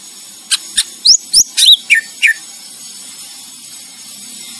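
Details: Greater green leafbird song used as a master recording to train competition songbirds: about seven sharp, downslurred whistles and chirps in a short loose series over a faint steady hiss.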